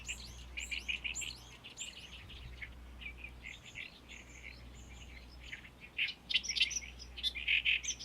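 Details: Great reed warbler in full, powerful song in May among reed beds on Lake Biwa's shore, where many sing here and there: rasping, grating chirps and chattering phrases delivered in rapid bursts, pausing briefly midway, over a steady low hum.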